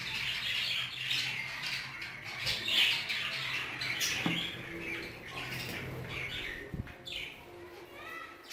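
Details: Budgerigars of the Hogoromo type kept in an aviary, a dense chorus of chattering, squawky warbles and chirps overlapping throughout, with a few low thumps and knocks in the background.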